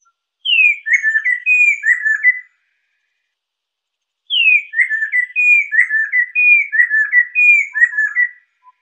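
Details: Lesser necklaced laughingthrush song, used as a tutor and lure recording for birds: two phrases of loud, clear whistled notes, each starting with a high falling whistle and continuing as a quick string of slurred descending notes. The background is silent.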